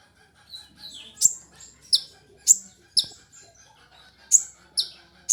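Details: A sunbird gives sharp, high chips at irregular gaps of half a second to a second, with softer warbled notes and faint low hum in the background; used to lure or tutor songbirds.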